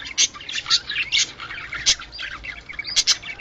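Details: Budgerigar sounds meant to bring birds into breeding condition: a busy run of high, scratchy chirps and warbles, with sharper squeaky notes standing out near the start, the middle and the end.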